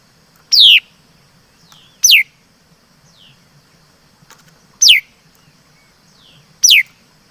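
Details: Laughingthrush (mi đất) singing four loud, steeply downward-sliding whistles spaced about one and a half to two seconds apart, with faint softer slurred notes between them and a low hum behind.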